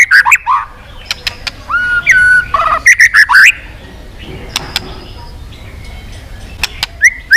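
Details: White-rumped shama song played to stimulate rival birds: bursts of loud whistled and warbled phrases with clicks in the first half, then quieter sparse notes and a final rising whistle.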